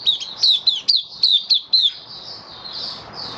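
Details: High-pitched white-eye song from a kept bird treated with dewormer and health supplements, May 2022: seven crisp, down-slurred chirps in under two seconds, then a soft fading twitter over background hiss.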